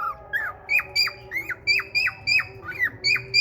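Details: Male cockatiel courting a female red-eyed budgie: a fast run of clear whistled notes, each dropping sharply, about three per second, with a few lower curling chirps in between.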